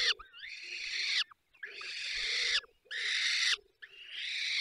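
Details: At a falcon nest in the Barycz Valley, Poland, while feeding: long, hoarse, swelling screeches, four in a row, each about a second with short pauses.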